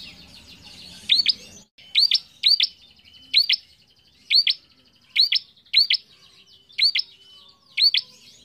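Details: Bar-winged prinia song meant to teach young cage birds: a rapid series of bright paired upswept chips, roughly one every half second to second, with a thin trill behind.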